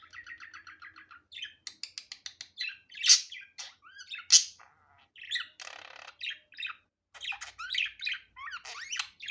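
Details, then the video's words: Budgerigar with its natural unedited voice: a rapid series of ticking chirps, two loud harsh squawks, a noisy buzz, then lively warbling with rising whistled slurs. "Muhabbet Kuşu Doğal Sesi"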